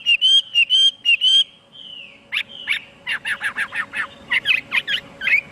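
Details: Chinese hwamei singing: a few loud clear whistles and a long gliding note, then a fast series of short sharp, repeated notes about two per second; faint background hum.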